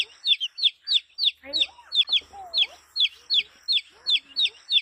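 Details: A colorful, healthy chick chirps steadily: bright, high, downward-sliding peeps repeated about three times a second in a fairly even run, with a few softer lower squeaky sliding sounds in the background.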